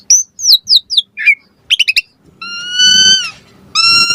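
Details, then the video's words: Asian pied starling singing to get other starlings to answer: a string of short sharp downslurred chirps, then two long steady, clear whistled tones with a rich, slightly nasal timbre, separated by a short pause. "Suara Jalak Suren Bakal Langsung NYAUT Buat Masteran & Pancingan Burung Jalak Agar Gacor Full Isian"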